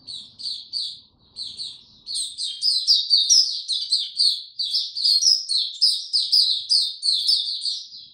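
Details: A white-eye sings in warm, very humid weather, 26 March 2022. It starts with spaced high chirps, then breaks into a rapid, continuous twittering warble that grows louder and busier.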